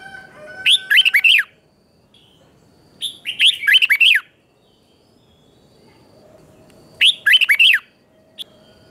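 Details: Morning 'chè'-style training song from a red-whiskered bulbul: three brisk phrases of bright, chattering whistles, repeated about every three to four seconds, clean and loud against a quiet background.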